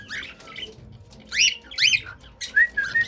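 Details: Cockatiel kept as a pet sings short phrases: slurred rising whistles and two loud arched chirps, ending on flat whistled notes.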